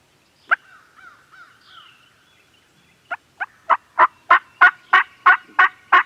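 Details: Gobbling turkeys at a farm, filmed with a Canon G7X: one harsh burst and some soft warbling notes, then a steady rolling series of about ten loud, evenly spaced rough pulses.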